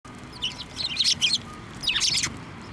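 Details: Sparrows flying onto a hand for food at a Tenmangu shrine, 23 November 2023: two bursts of bright, high chirps, a quick scatter of notes, then a second cluster of downward-sweeping tweets, with a faint low background hum.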